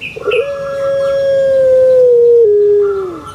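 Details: Puter pelung, a kept Barbary dove, giving a single long sustained low note after a brief rough start; the tone holds steady for about two seconds, then drops in steps as it fades.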